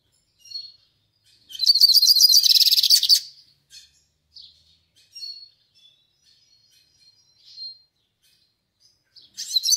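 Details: Yellow-faced siskin, the northeastern Brazilian goldfinch, giving melodious song: a dense, high twittering burst over a second long, then scattered soft thin notes and another trill starting at the end.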